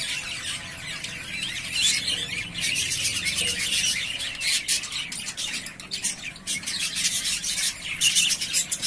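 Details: A lively flock sound from three breeding-ready pairs of yellowface spangle budgies: unbroken, overlapping squeaky chirps and harsh warbling, with louder squawk bursts toward the end.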